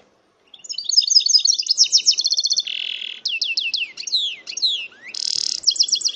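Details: Goldfinch-canary hybrid pours out a long, varied song: fast twittering runs, a buzzy rattle, a series of downward-sliding whistles, another harsh buzz and a closing burst of quick chirps.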